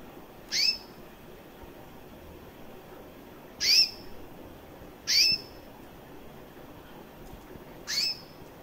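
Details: Recessive white female canary, about one year old with red-factor eyes, chirping: four short, high, sharp chirps spaced irregularly one to three seconds apart over a quiet background hiss.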